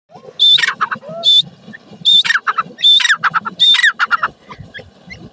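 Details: Black francolin (dakhni teetar, jungle teetar) in Pakistan, calling beside a spring: loud, harsh, grating bursts of notes with a thin whistled accent, given in four or five rapid groups, with a faint low rumble beneath.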